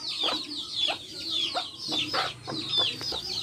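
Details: Backyard hens keeping company with chicks, hens giving short low clucks about twice a second while several chicks cheep in high, downward-slurred notes above them.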